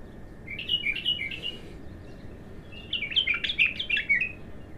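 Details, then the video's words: First singing of an untrained bulbul: a few clear, slurred whistled notes, a gap, then a busy, jumbled burst of bright warbling notes. "تغريد الابتر خام اول فتحـه له"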